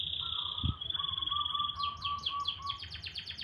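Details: Canary song in the morning, opening with long steady whistled notes over a lower tone, then breaking into a quick series of rapid repeated downslurred chirps, with faint low rumble behind.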